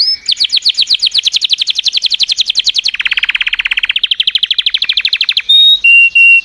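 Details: Sustained canary song built of rapid repeated notes, about ten per second, dropping in pitch into a rolling trill, rising again, then closing with three long pure whistles at different pitches.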